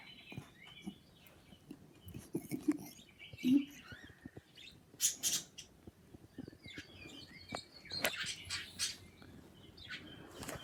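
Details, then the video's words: A pair of pet birds chirping and making kissing sounds: scattered high twittering notes mixed with abrupt broadband smacks and clicks, some lower murmuring sounds early on, and a constant faint hiss throughout. "making kissing sounds and chirping"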